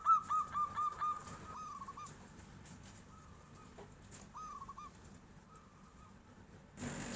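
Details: Nyuling-style song of a local zebra dove reacting to a passing tofu seller. It opens with a crisp quick string of high notes, then fainter short trilled fragments follow, ending in a burst of noise.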